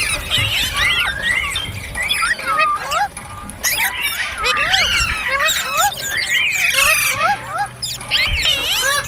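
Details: Green parrots chattering in a dense, overlapping stream of rising and falling whistled chirps and squawks, several birds calling at once, with a faint low rumble beneath.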